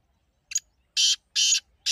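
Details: Partridge call phrase: a faint clipped double note, then three strong, coarse, buzzy bursts spaced about a third of a second apart.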